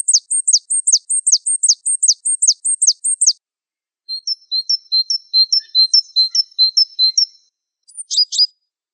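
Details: High falling sweeps from a Java sparrow, repeated rapidly for several seconds, give way to rhythmic paired chirps, then a brief burst of sharp, descending notes after a short pause.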